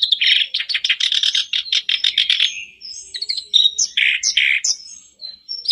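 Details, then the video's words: Black-browed reed warbler song used as a daily lure to get a silent caged bird singing: harsh, buzzy chattering bursts in rapid series, then scattered squeaky, whistled notes of varied pitch. "Buat pancingan harian kerak basi macet pasti langsung on,bikin kerbasmu gacor"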